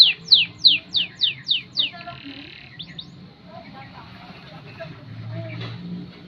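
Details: Canary champion-quality competition tutor song: a run of seven quick, bright descending sweeps repeated about three times a second, then a couple of fainter notes over quiet background hiss.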